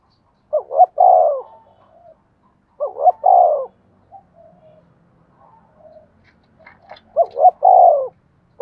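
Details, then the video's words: Decoy female spotted dove calling to make birds coo back. Three-part hollow coos repeat at intervals of about two seconds, separated by soft, low murmuring and a few faint clicks. "tiếng cu mồi thúc bổi"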